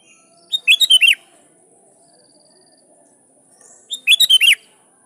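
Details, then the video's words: Sooty-headed bulbul song aimed at rivals, played so wild bulbuls answer: two lively phrases of about five quick, rolling notes each, roughly three and a half seconds apart, with calm background. "Suara Burung Kutilang Gacor Memanggil Lawan || Kutilang liar nyaut dan GACOR"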